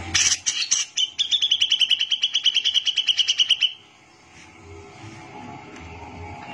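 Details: Grey-cheeked bulbul (cucak jenggot) singing a long gacor mbeset trill for masteran training: harsh chips lead into a rapid, even trill of about twenty-five notes on one pitch lasting nearly three seconds, followed by quiet background.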